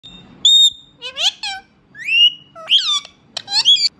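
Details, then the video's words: A pet Indian ringneck parrot talking: short speech-like phrases with a nasal, harmonic quality alternate with clear high whistles, in quick bursts separated by brief pauses, in a quiet room. "Cute talking Indian ringneck parrot"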